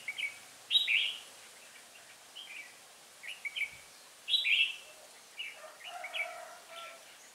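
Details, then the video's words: Red-whiskered bulbul, a Hòa Bình decoy bird for trapping, singing 'ché' on 18 December 2016: loud rich phrases at the start and middle separated by quieter chirps, a low murmur late on. "Bẫy chào mào mồi Hòa Bình ché bay xác"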